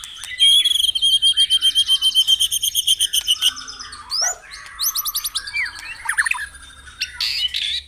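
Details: Morning song of a white-rumped shama, played to spur caged birds into singing: a fast, even, pulsing trill of high notes for three seconds, then scattered sharp slurred whistles and a brief burst of very high chips.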